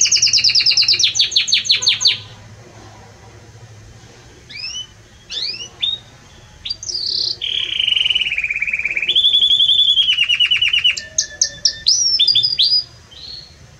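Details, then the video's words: Belgian canary in strong, very warm song: the phrase opens with a fast high trill, pauses, gives scattered sweeping notes, and moves into a long low rolled trill with brief high flourishes. "Canto forte e muito quente deste Espetacular Canário Belga | Canary Singing"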